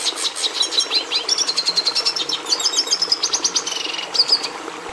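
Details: Red siskin (Carduelis cucullata) in song, delivering a rapid, high twittering stream of clipped notes, brief trills and thin whistles without pause over a low background hum.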